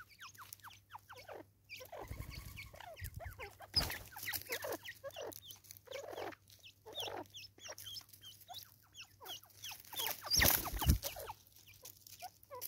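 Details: Natal spurfowl, South Africa, keeping up a long raucous cackle of quick harsh downslurred notes, interrupted by a few low thumps and a loud noisy burst near the end.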